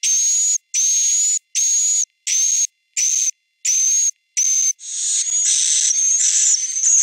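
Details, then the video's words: Swiftlet roosting sound meant to draw birds into a three-storey roost: seven even, high whistled tones with regular pauses, then a continuous hissing twitter with overlapping thin notes. "Suara Inap Walet"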